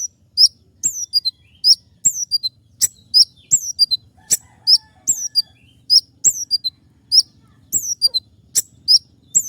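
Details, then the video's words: Lure recording of a wild sunbird called kolibri ninja: bright, very high chirps that slide downward, delivered in brisk clusters of two or three with brief breaks, against a soft low hum. "suara asli kolibri ninja liar untuk suara pikat semua jenis burung kicau"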